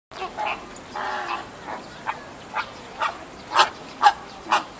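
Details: A two-day-old American flamingo chick at Ueno Zoo, 28 June 2014, gives short, yelping cries about twice a second, growing louder toward the end, with faint background murmur.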